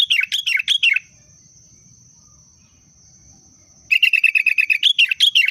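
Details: Sooty-headed bulbul booster song: looping warbled phrases, a pause of nearly three seconds, then a rapid run of sharp repeated notes slipping back into warbling. A constant high-pitched whine sits behind the bird.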